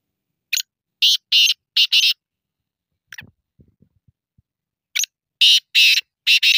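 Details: Two rasping call phrases of a black francolin, each a stuttering series of harsh, buzzy notes with the later ones doubled, with faint low knocks and clicks in the quiet gap between them.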